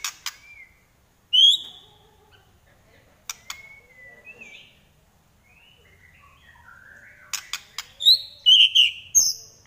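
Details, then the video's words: White-rumped shama of the Trek type with a sharp, piercing 'nyelit' voice: scattered clear whistles, a long gliding whistle, snapping clicks, and bright high chirps in short bursts. Quiet gaps separate the phrases, and the song grows loudest near the end. "Trek Murai Pastol Suara Nyelit"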